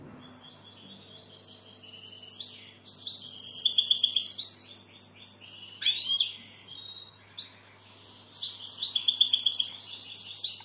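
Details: European goldfinch twittering song over steady background hiss, with bright trilled runs, sharp downward slurs and tinkling repeated notes coming in waves.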